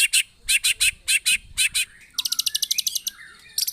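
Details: Murai batu, the white-rumped shama, in loud harsh song used as a lure to provoke other birds: strident double notes in a quick series, then a rapid rattling trill of sharp high notes.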